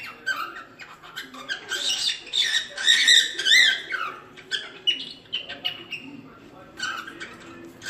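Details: Training song of a cockatiel meant for teaching young birds, a busy run of raspy chatter and rising whistled slurs, peaking midway before fading into scattered chirps.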